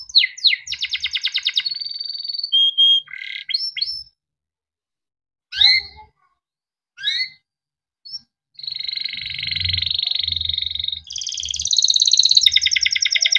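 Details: A yellow canary, described as a Timbrado but also tagged as a Belgian canary, sings high, rapid rattling trills and clear held whistles, breaking into short phrases with pauses, then ends on long rolling trills.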